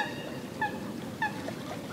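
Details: Western (purple) swamphen (Porphyrio porphyrio) in a Spanish or Portuguese wetland giving two short, nasal, slightly falling honks about half a second apart, over a soft background hiss.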